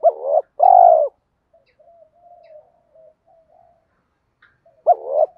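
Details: Spotted doves, male and female, cooing to prompt other doves to call: a deep two-part coo of a rising note and a long purr, then faint murmured notes, then another rising coo start.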